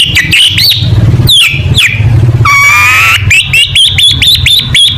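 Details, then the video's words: Long-tailed shrike singing in loud tutor style for competition training: scattered sharp chirps, a long buzzy harmonic trill, then rapid repeated high whistled notes over a low engine-like rumble. "Burung Cendet Gacor Full Tembakan Mewah Materi Lomba"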